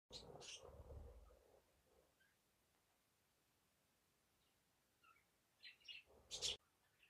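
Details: Pet budgerigars sitting on a mirror they love and try to bite give short, bright chirps, with broad scratchy noise bursts at the start and end.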